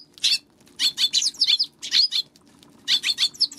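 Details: Close Eurasian tree sparrow calls: clusters of rapid, rasping high chirps, three to five per burst, broken by short silences, with a faint steady hum underneath.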